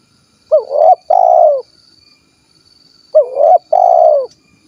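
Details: Spotted dove, 'kuk 1' tekukur from Cilacap in Central Java, repeats its cooing phrase twice about 2.6 seconds apart, each a flicked lead note, a short coo and a long falling coo, with a thin constant high hum throughout.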